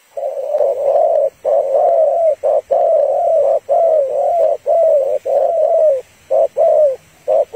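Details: Female spotted dove calling to a male, a call used to lure and provoke males for trapping: loud repeated low coos in steady broken phrases, about one per second, recorded close with little background.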